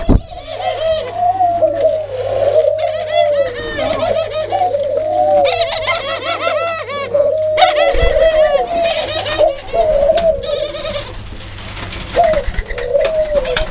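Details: A dove's soft, rolling coos, repeated in short arched phrases that blend into a steady low murmur, while many high, fast chirps from small birds fill the background throughout.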